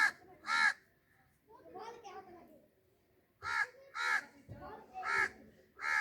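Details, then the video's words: Parrot talking: paired harsh, rasping syllables at the start, a soft murmured phrase, then a run of loud raspy speech-like bursts in quick succession, with a quiet pause between. "Talking parrot Beautiful parrot sounds natural"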